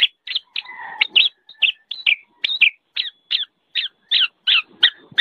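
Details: Black-naped oriole giving clipped, harsh notes roughly twice a second, with a brief low buzzy chatter near the start and a faint constant tone behind.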